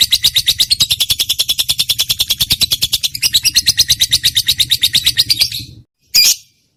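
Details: Trained lovebird with a strong voice, recorded as a lure to get reluctant pet birds singing: rapid, steady chattering trill of high buzzy chirps, about eight per second, running for over five seconds, then a pause and one final short burst.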